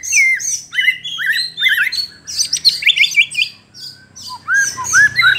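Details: White-rumped shama song aimed at stirring up rival birds: a dense, energetic medley of high chattering notes, twisting whistles and quick slurred phrases, easing into a few softer, lower whistled notes near the end.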